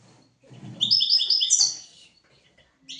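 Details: Song of a European goldfinch, recorded to teach goldfinches and canaries: a quick run of bright, repeated twittering notes with a buzzy trill at the end, low rustling underneath.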